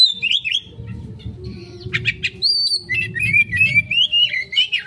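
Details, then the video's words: Oriental magpie-robin giving an erratic, fast lure song meant to draw a quick response: varied whistled phrases sliding between high and mid pitch, with buzzy bursts and rapid warbled runs, over a low steady hum. "Pancingan Burung Kacer konslet,respon cepat...!"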